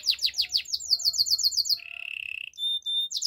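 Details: Caged canary song. A rapid series of bright descending notes gives way to a lower, steady rolling trill, followed by clear thin whistles at two pitches.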